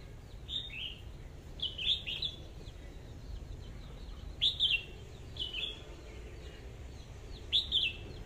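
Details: Caged decoy red-whiskered bulbul singing: short, bright, slurred whistled phrases in bursts every one to two seconds, with quiet gaps and a low background hum.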